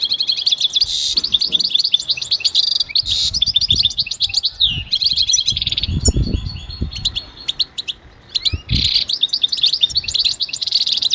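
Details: Goldfinch song: long stretches of rapid twittering and trills broken by short pauses, with a few soft low thumps in the background.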